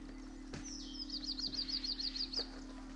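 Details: Rufous sibia (Heterophasia capistrata) at Landour in the Himalaya gives a thin high whistle dropping into a quick run of about nine bright, even notes lasting just over a second, over a steady low hum.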